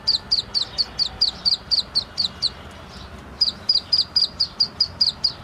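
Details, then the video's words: Young black francolin calling in a run of sharp, high, clipped peeps, roughly four to five per second, with a brief pause near the middle before the series resumes; quiet background. "Kala Teetar Bachy Ki awaz کالا تیتر بچے کی آواز"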